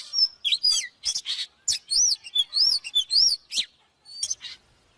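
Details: Oriental magpie-robin in full song, recorded for teaching birds to sing: arched whistles rising and falling, mixed with noisy rasping notes, delivered in quick phrases before a short gap and a final high note.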